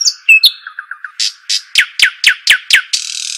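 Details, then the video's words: Arabian babbler, known locally as shuhaim or dakhal, gives thin whistles, then a string of sharp descending piping notes about four per second, ending in a harsh hiss, over a constant high-pitched hum. "صوت الشحيم الاصلي او صوت طائر الدخل"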